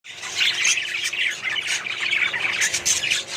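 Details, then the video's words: Budgerigars kept in a small colony setup, a dense continuous chorus of overlapping chirps, squawks and warbling twitters from many birds, high and busy with no pauses. "budgies small colony setup"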